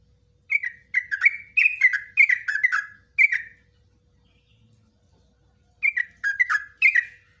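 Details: Yellow-vented bulbul song in ropelan style featuring nguklik and ngecruk notes, a training master for bulbuls: one chattering burst of bubbly slurred notes, a pause of over two seconds, then a second lively burst.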